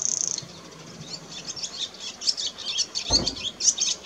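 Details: Barn swallow in song around mating: a rapid, high, scratchy twitter of tumbling chirps and thin squeaks, with a brief buzzy note at the start and a soft thump partway through.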